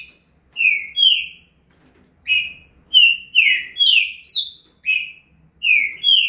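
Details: Green-winged saltator pouring out an estouro burst: two whistles, a pause, then a rapid run of loud slurred and rising whistled notes in close succession.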